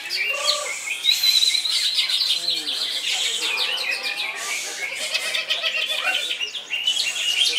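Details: Continuous koncer-style song from a greater green leafbird: a loud, unbroken stream of sharp high notes, quick trills and rising whistles, with some lower whistled phrases near the start.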